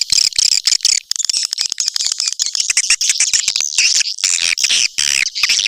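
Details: Call played to attract swiftlets to a nesting house: rapid streams of sharp, high chirps crowding one another, broken by brief gaps, in a continuous chattering wall of sound.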